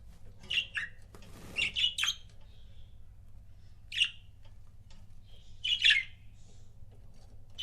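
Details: Pet budgerigar pairs give scattered short chirps and brief chattery notes, a soft rustle near the start, then single tweets spaced a second or two apart.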